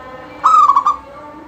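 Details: A single song phrase from a local zebra dove singing to set off other doves: one clear note that runs into a short burst of rapid pulsed coos, lasting about half a second.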